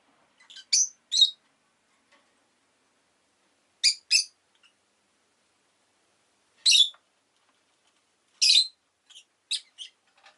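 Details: Paired, shrill chirps from a rosy-faced lovebird come every few seconds, with a few softer clipped notes near the end.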